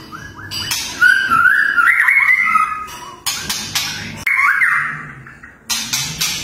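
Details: A white-rumped shama delivers its fiercest 'tembakan' song as competition material: loud whistled phrases gliding and warbling at mid pitch, broken by sharp, harsh rasping bursts that recur every few seconds.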